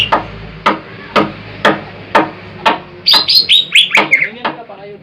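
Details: Greater green leafbird of the large 'jumbo' type, a training and luring recording: a run of sharp, evenly spaced knocks, then a quick series of bright, high whistled notes that slur downward.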